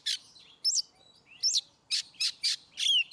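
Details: Oriental magpie-robin singing ngeplong style, meant as a master track for birds that rarely sing: harsh buzzy bursts alternating with sharp falling whistled notes, with a faint low hum beneath.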